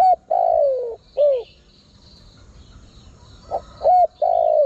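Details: Decoy spotted dove calls used to attract wild birds. Two full phrases, each a long mellow descending coo followed by a short falling note, are separated by a quiet gap. A faint high buzzing trill runs behind them.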